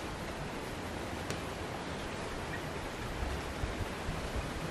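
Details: Even rushing broadband noise like running water, with one brief click and no clear animal sound.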